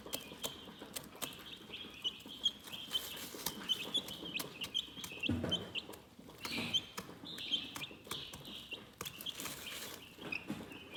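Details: Calm chickens chirping: bright, high-pitched peeps repeat in quick runs from a group, with one low thud and some rustling underneath.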